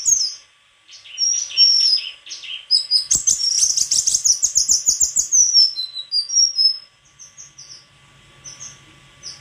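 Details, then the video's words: White-throated flycatcher with scattered high whistles building into a rapid, busy run of chirping notes, then easing into sparser, thin whistled phrases with a faint low hum behind. "Sikatan krongkongan putih suara gak kalah sama burung kicau lain"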